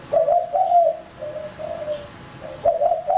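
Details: Male spotted dove kept to lure birds, one full cooing phrase: strong burry coos, fading softer notes, then the next phrase beginning.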